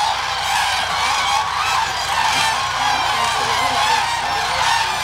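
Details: Wintering Common Cranes, tens of thousands fed corn and peanuts at Hula Lake, Israel, late December 2011. An unbroken roar of layered honking, trumpeting calls from the huge feeding flock, with no single bird standing out.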